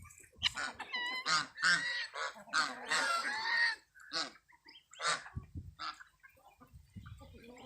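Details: Geese with chicks, the adults giving honking calls in a tight cluster early on. Thin, quavering chick peeps mix in, then the calls thin out to scattered short notes.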